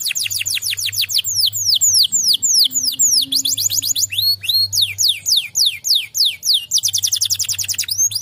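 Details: A canary answers another canary's song with a long run of rapid, high, down-sweeping whistled notes grouped into changing trilled tours, some slower and broader, others quick and tight, over a soft steady low hum.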